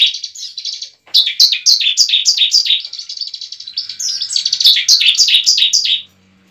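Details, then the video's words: Bar-winged prinia fighting song used to goad a kept bird into fighting and singing: two long runs of fast, sharply down-slurred buzzy notes, roughly three to four per second, separated by a short silence. "pancingan ciblek ampuh membuat ciblek bakalan langsung gacor"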